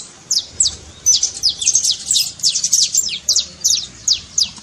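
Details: Spaced bursts of high, clipped, downward-sliding notes from a saffron finch trilling, meant to stir a reluctant canary into singing.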